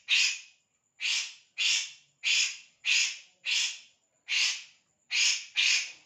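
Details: Kores bird giving a series of nine rasping, hissy bursts spaced roughly every half to one second, loud and even, against a quiet background with a thin high steady tone.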